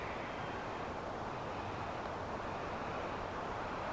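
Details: Steady broadband roar, like wind or distant traffic, fills the whole recording evenly with no animal calls standing out.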